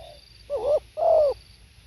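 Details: Brief spotted dove phrase: a faint trailing hum, then a wavering short coo and a longer smooth downslurred coo, hoarse and mellow, in quiet surroundings.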